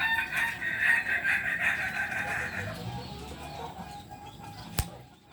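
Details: Biriang kuniang Kukuak Balenggek rooster, a pure bird from Solok, West Sumatra, delivering a pulsing, stuttered crow that lasts nearly three seconds and then trails away, with a single loud knock near the end.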